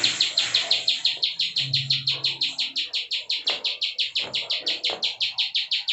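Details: A bar-winged prinia in full 'klik' song, used to tutor cage birds, sharp high clicks repeated about three per second without break, with a short low hum early and scattered faint knocks.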